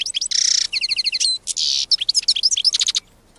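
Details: Wild European goldfinch singing a fast, tinkling twitter of high chirps, buzzy rasps and liquid trills, loud and close against a quiet background.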